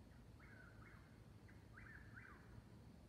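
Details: A pair of eastern whip-poor-wills dueling after dark, 22:42 on 19 May 2021, Seneca, South Carolina, near Davis Creek Road, 69 °F. Brisk, clipped whistled phrases follow one another closely, each sliding down at the end, with faint low hum beneath.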